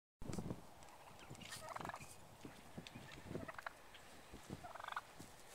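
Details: A tame male wild turkey on a farm on 27 November 2010 gobbles twice in rapid, rattling bursts roughly three seconds apart, among scattered clucks and low thumping background noise.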